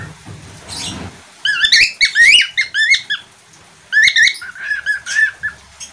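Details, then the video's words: Budgerigar squawking and chirping in rapid clusters of bent, whistled notes, two main bursts after a faint rustle at the start. "parkit australia atau falk"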